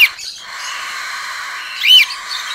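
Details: Cockatiel chicks in a wooden nest box, three hatched from four eggs in a pair's first clutch, give a steady, buzzy, hissing rasp, with a sharper rising-and-falling chirp near the end.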